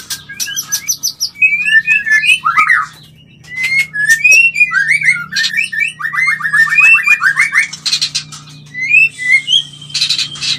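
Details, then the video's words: White-rumped shama mating call for stimulating mating: varied whistled phrases and slurred notes, a fast trilled rattle mid-song, interspersed harsh buzzy bursts and clicks, continuous and irregular, over a faint low hum. "Bikin Birahi dan Kawin Murai - Suara Panggilan Kawin yang Paling di Suka Murai"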